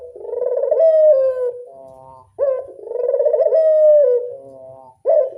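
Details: Classic cooing of a local Barbary dove (burung puter): two long, pulsing, rolling coos, each about one and a half seconds, each ending in a falling glide and followed by a sharp rising note, in a quiet setting.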